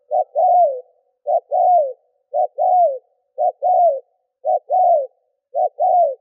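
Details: Spotted dove lure bird cooing to excite wild doves: a regular rhythm of low phrases, each a short note then a fuller falling coo, about one per second, in a clean quiet setting.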